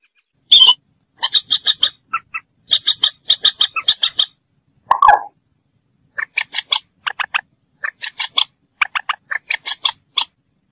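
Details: Harsh, rasping chatter from a common moorhen: tight bursts of four to six grating notes, a lower croaking note midway, then further clipped, nasal note series.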